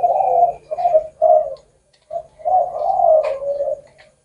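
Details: Spotted dove delivering a cooing song in a style with a nine to ten or more note ending; three short low coos, a silent gap, then a longer drawn-out run of coos fading away.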